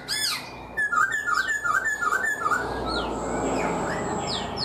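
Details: Black-throated laughingthrush held in a cage for four months sings a quick string of five short, evenly spaced whistled notes after a high opening flourish, with hiss behind.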